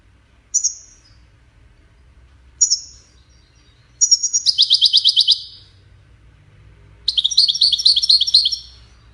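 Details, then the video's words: European goldfinch in Widani style, intended for chicks to hear and copy: two isolated high chirps a couple of seconds apart, then two bursts of rapid, rattling, tinkling twitter phrases, each just over a second long. "تغريد ويداني لتسميع فراخ الحسون"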